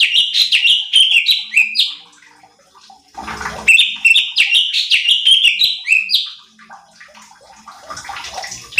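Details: Cucak cungkok (light-vented bulbul) singing eagerly, recorded to train and provoke other birds: quick runs of bright, descending chirps, a brief rustling break, then another long excited run.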